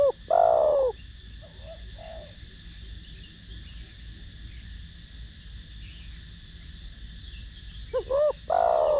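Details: Spotted dove with a 'thổ đồng' voice style, cooing to stimulate decoy and trainee doves: one deep, descending, drawn-out coo, soft low murmured notes, then two short hooting notes leading into another long falling coo.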